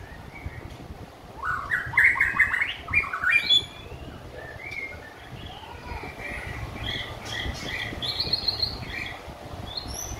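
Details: White-rumped shama, having completed its moult, sings a loud burst of rich, varied whistles and warbled notes, followed by softer, higher phrases over a steady background hiss.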